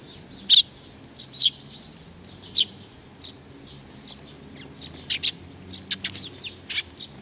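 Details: Sparrows coming for food, 15 May 2019: a few emphatic single chirps spaced about a second apart, followed by a denser run of quicker, higher cheeps from several birds.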